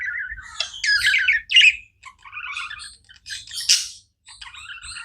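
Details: Pet budgies keep up continuous chatter, a run of rapid warbling chirps, harsh squawky bursts and short sharp notes with brief silent gaps between phrases.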